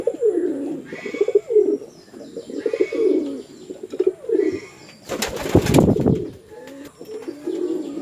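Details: Attacking male and female pigeons on a house farm in Chittagong District, Bangladesh: separate low, swelling coos repeat about every second, interrupted by a loud wing-flapping scuffle around five seconds.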